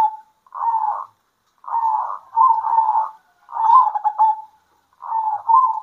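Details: Zebra doves singing in the middle of the day, answering each other: soft, purring coo phrases about half a second to a second long, several burry trilled bursts separated by short silences.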